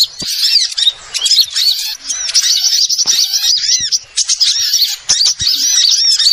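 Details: Lure call of small birds for attracting wild birds: noisy flock of sharp, high chirps and quick looping whistles, overlapping steadily, interrupted by a few short quiet moments.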